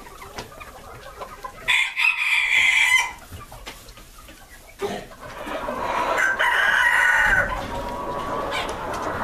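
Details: Silver Spangled Appenzeller Spitzhauben chickens, a breeder flock raised on a hatchery farm for purebred hatching eggs; a rooster crows twice in long drawn-out bursts amid clucking and scattered farmyard clatter.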